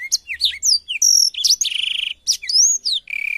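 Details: Blackthroat song kept for training canaries to copy: quick varied phrases of swept whistles, a sustained pure note, and fast buzzy trills, each phrase broken by short gaps.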